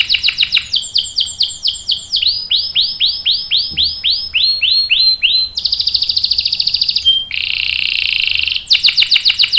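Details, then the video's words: Domestic canary singing a long 'ngerol' roll meant for tutoring young birds: runs of swooping downward notes that change speed and pitch, a dense high buzzing trill, a short pure whistle, then more rapid chirps. "KENARI GACOR NGEROL panjang bagus untuk PANCINGAN dan MASTERAN paud | CANARY SINGING"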